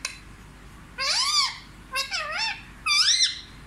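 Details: Hindi-talking parrot: three drawn-out, strongly harmonic vocal phrases, each arching up then down, spaced about a second apart, with a quiet background between them.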